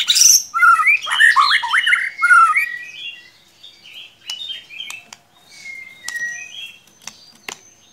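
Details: Lure song of a white-rumped shama for encouraging a silent bird: an opening flurry of harsh, buzzy and whistled notes, then quieter scattered whistles with clicks in between.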